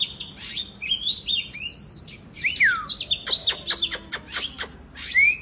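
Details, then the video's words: Oriental magpie-robin (kacer) in full, energetic 'gacor' song: a rapid run of high whistled slurs and sweeps, some sharply falling, then a burst of dry clicking notes and a closing rising whistle. "KACER GACOR Terapi agar Kacer Malas Bunyi nyaut ikut GACOR"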